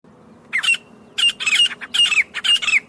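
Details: Grey francolin in Pakistan giving a loud harsh call: short bursts of grating notes, each with a rising and falling whistled tone, in three groups after a half-second pause.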